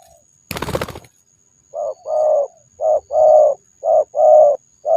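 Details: Spotted dove giving paired coos, a brief note then a longer throaty one, repeated about once a second, after a short rustling noise at the start.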